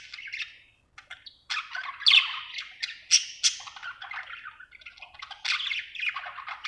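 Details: Budgerigar, said to be happy, chattering: scratchy twittering phrases broken by a short pause early on, then louder harsh bursts and rapid chirps.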